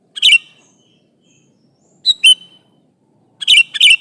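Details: Sooty-headed bulbul calling an opponent to draw replies from other bulbuls: three short bursts of bright chirps with slurred whistle tails, one including a thin drawn-out whistle, spaced over four seconds in near silence.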